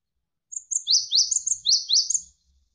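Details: Javan sparrow delivering one quick phrase of piercing high notes, with short whistles followed by four strong downward-slurred chirps in close succession, lasting under two seconds.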